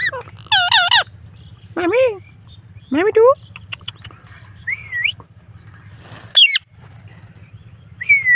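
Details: A blue Indian Ringneck parrot kept as a pet, out during an evening walk, utters a few wavering, speech-like phrases, then two clear upward-sliding whistles, with a low hum and a brief hiss.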